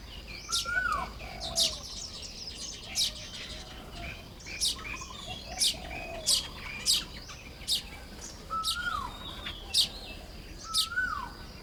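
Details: Baya weavers busy nest building on a May 2026 morning in Lop Buri, Thailand: a long series of high, clipped chirps about every second, with several falling whistles from another bird and soft murmuring notes.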